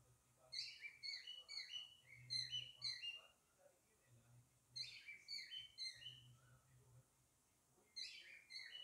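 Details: A male lovebird calling his mate to come inside gives bursts of shrill, squeaky chirps, several quick notes at a time, with pauses between bursts and a low hum underneath.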